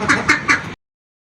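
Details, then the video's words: Ducks clamouring for food: three quick rasping quacks in under a second, evenly spaced, then silence. "Ducks are making noise for food"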